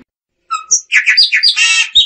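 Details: Short phrase of Chopi blackbird song: a thin whistle, liquid gurgling notes, then a harsh buzzy burst closing in a clear whistle.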